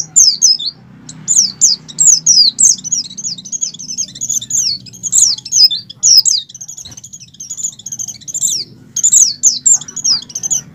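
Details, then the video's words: Wild Oriental white-eye in full breeding fervour, singing long runs of high, rapid twittering with down-slurred notes almost continuously for eleven seconds, faint low hum beneath. "pleci over birahi ngalas mempercepat pleci buka paruh dan pleci gacor"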